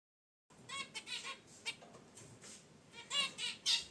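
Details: Caged zebra finches relaxing by their wicker basket nest give quick nasal, harmonic honks and chirps in an uneven run after a half-second of silence, with a louder cluster near the end.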